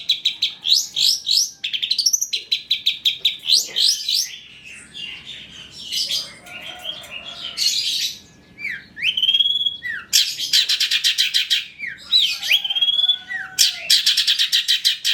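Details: Long-tailed shrike ('cendet trotol') in full, varied song used to draw other shrikes into singing: bursts of rapid scratchy chatter alternating with clear rising and falling whistles, quieter softer passages in the middle, then loud chattering again.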